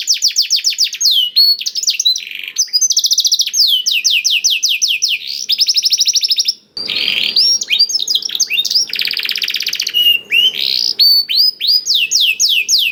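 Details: Blackthroat-tutored canary song used as a lure to prompt other canaries to sing. It is a continuous high fast delivery of descending sweeps, buzzy rattling trills and a brief harsh burst midway, varied and unbroken.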